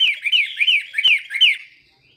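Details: Chinese hwamei singing: a quick run of about five loud, clear whistled phrases, each sliding downward, packed into under two seconds before the song breaks off into silence.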